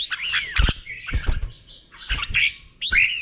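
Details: Red-whiskered bulbul song in the 'doubled' style, slow and clear, meant for caged birds to learn: four brief whistled, slurred phrases spaced across three seconds, interrupted by low thuds and knocks.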